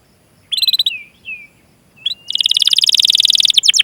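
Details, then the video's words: Canary singing for training other canaries: a couple of short high chirps and a soft falling whistle, then a quick, buzzy rolling trill of rapidly repeated high notes growing louder, with light background hiss. "Masteran Suara Burung Kenari Gacor Panjang cuit cuit Ngerol untuk Pancingan Kenari!"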